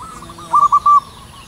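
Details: Zebra dove singing in the wild at height in cool morning air: a soft trailing coo, then a clear phrase of three to four rolled notes ending in a longer held coo.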